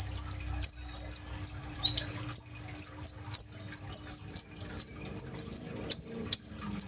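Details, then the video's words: Captive sunbird (kolibri ninja) in full, lively song with imitated 'tembakan' fills, recorded on an Oppo A37f phone: thin, very high whistled notes, each sliding down sharply, repeated in quick pairs and runs over a faint steady hum. "BURUNG KOLIBRI NINJA GACOR FULL TEMBAKAN ISIAN ROLL TEMBAK"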